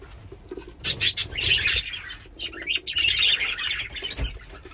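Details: Pet budgerigars, two of them playing together, give a steady run of rasping, twittering high chirps, with soft low thumps underneath.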